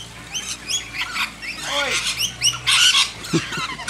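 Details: Lorikeets being hand-fed in a backyard give harsh, shrill screeches in rapid irregular bursts, with a brief lower curved call and faint human voice in the background.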